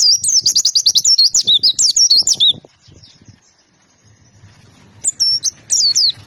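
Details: White-eye bursting into two and a half seconds of fast, high twittering chirps, then falling quiet before a few more sharp, slurred notes near the end.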